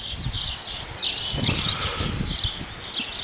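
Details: Male house sparrow giving a run of sharp, high chirps, several per second, irregular and slightly overlapping, over a low rumble of background noise.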